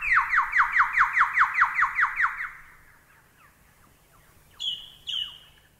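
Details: Lyrebird song used as masteran material for training birds. Loud, evenly spaced downslurred notes, about four per second, fade into softer repeats, then two high sliding whistles follow after a pause.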